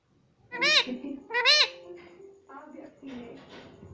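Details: Young pet rose-ringed parakeet, a green ringneck, indoors mimicking the word "mummy": two loud, arched, harmonic syllables close together, followed by softer, lower chatter.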